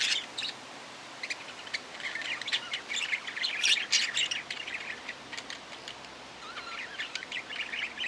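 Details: Budgerigar chattering in a steady stream of quick, high twittering notes and squeaky chirps, irregularly spaced, several per second, swelling louder near the middle.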